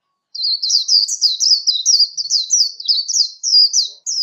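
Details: High, rapid twittering competition song (líu hót đấu) of a warbling white-eye, meant as a voice-training recording. Chains of bright slurred chirps run on without pause after a brief silent start. Clean recording, no other sounds.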